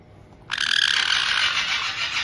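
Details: In Tokachi, Hokkaido, on 18 June 2023, captive white-bellied caiques, a resident pair with a young bird of about two months, are heard in a welcoming scene. One loud, buzzy, rattling screech starts abruptly and holds steadily for nearly two seconds.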